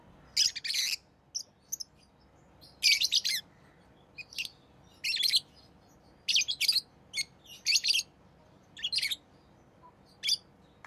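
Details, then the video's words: Pet rosy-faced lovebirds in orange-faced green and red-headed green colour forms chirping busily: many shrill, harsh, high bursts, often doubled, over a steady low background hiss. "Rosy Faced Lovebird Chirping Sounds"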